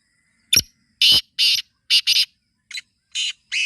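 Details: Black francolin (kala teetar) call, offered as a way to get a kept francolin to start calling: a sharp click, then harsh, grating broadband bursts, one, one, a quick doubled pair, then scattered single notes.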